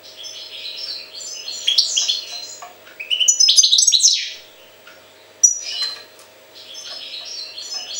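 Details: European goldfinch singing a fast, liquid twittering song of high tinkling notes, buzzy trills and sliding chirps in bursts, a short pause midway before the lively chatter resumes, a low steady hum in the background.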